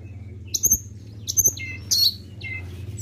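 A flowerpecker gives thin, very high, sharp tsit notes about every half second to second, with a few lower chipping notes over a steady low hum.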